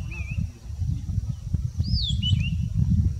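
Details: Singing red-backed scrub robin, whose song differs between areas: a brief whistled note, then a high descending whistle with quick twisting notes, over steady low rumble.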